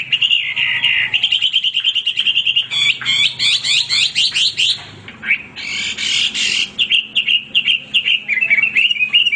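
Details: Male hwamei, a caged songbird, in nonstop song of loud whistles and quick repeated slurred notes, with dense fast chattering bursts in the middle.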